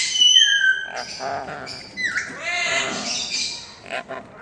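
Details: Pet sun conure parent feeding a baby: high, squealing, wavering begging notes mixed with rough chattering and slurred rising and falling whines.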